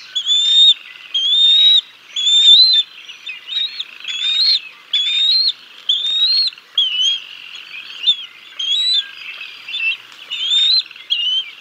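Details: At the Decorah North bald eagle nest, 6 May 2022, the father feeds fish to the chicks before the mother takes over; a long run of shrill whistled notes, each with an upturned finish, about one per second.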